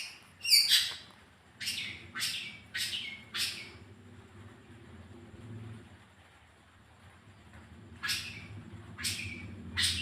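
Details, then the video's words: Long-tailed shrike calls used as a lure to get a kept bird singing: harsh, buzzy, broadband bursts in short clusters, with a quiet gap midway and a low steady hum underneath. "pancingan suara cendet biar cepat gacorr"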